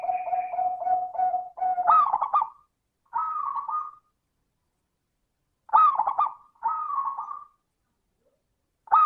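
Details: Local perkutut, the zebra dove, sings a 'crystal voice' lure song: a steady series of low, evenly pulsed coos opens the clip. Bubbling coo phrases with stuttered starts and level trilled endings follow.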